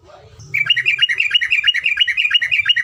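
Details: Yellow-vented bulbul in a tutor recording of long rapid song: after a quiet start, a fast run of bright chirped notes repeats steadily, about six per second, with a faint low hum underneath.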